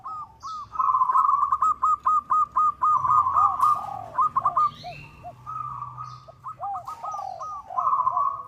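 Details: Local zebra dove calling to a rival, suited as a lure: a fast even series of clipped cooing notes, about four per second, then stuttering trills, with a second dove's lower arched coos. Faint high bird calls behind.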